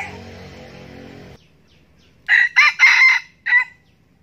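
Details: Red junglefowl decoy rooster crowing to lure wild roosters: a short, harsh crow in four choppy bursts with a clipped final note, preceded by a buzzing mechanical tone that cuts off.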